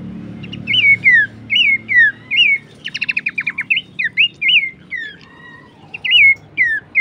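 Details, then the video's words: Horsfield's babbler recording for songbird training: looped, upslurred and downslurred whistles given every half second or so, with a fast rattling trill of chips in the middle and a faint low hum. "masteran dan pancingan bunyi khas burung pelanduk semak"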